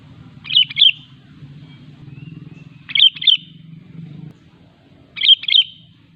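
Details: Energetic sooty-headed bulbul singing, used as a lure to make other bulbuls sing: three brief bubbly, warbling phrases, each of two fluttering notes, repeated about every two and a half seconds with a low background rumble between.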